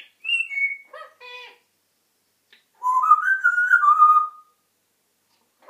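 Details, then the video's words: African grey parrot whistling and talking: two short falling whistles and a few clipped speech-like notes, then after a gap a long, wavering, mid-pitched whistle that climbs and then slides down. "African grey parrot talking and whistling"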